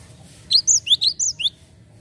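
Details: Brief Java sparrow lure call aimed at untrained birds: six quick, bright chirps, each sweeping upward, delivered within one second.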